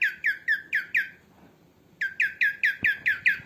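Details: Female cockatiel calling, kept for training other cockatiels: harsh, squawky whistled notes falling in pitch, about four per second. A burst of five is followed by a one-second pause, then a steady run of nine more.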